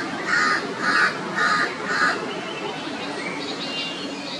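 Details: Red-vented bulbul mother alarming the neighbourhood while her unfledged chick hops on the ground after first leaving the nest; four harsh, rasping notes roughly every half second, then fainter calls in a noisy background.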